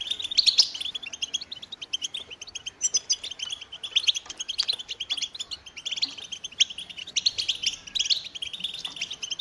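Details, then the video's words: Goldfinch song in phrases of bright twittering chirps and buzzy trills, separated by short gaps, opening with loud sharp notes and ending with several rapid, rising tinkling bursts. "Goldfinch motivating songs"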